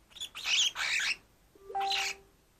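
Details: A male dwarf cockatiel, about a third smaller than normal due to an inherited abnormality and cranky this morning, gives two bursts of harsh, raspy screeching: the first long and double, the second shorter after a pause, with a faint tone between.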